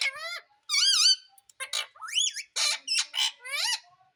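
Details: Talking Indian ringneck parrot repeating "mummy": loud, wavering, high-pitched syllables with stacked overtones. The pitch swoops and wobbles, and the syllables are grouped in quick bursts with brief pauses.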